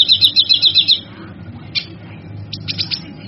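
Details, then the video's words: Male kinoy used as a training model for other birds: a single rapid high trill of about six notes lasting one second, then quiet with a few scattered sharp chirps. "Suara Burung Kinoy Jantan"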